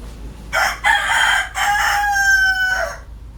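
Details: Morning crow of a desi (local country) rooster: a loud, harsh, multi-part cock-a-doodle-doo lasting about two and a half seconds, starting with choppy bursts and ending in a long drawn-out note with a falling tail, over faint background hum.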